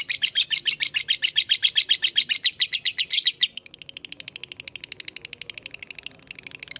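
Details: Lovebird of the fighter type giving a long ngekek, used as a lure to prompt other lovebirds to answer: rapid, high, buzzy chattering notes, loud for the first half, then a quieter, even faster run of ticking notes.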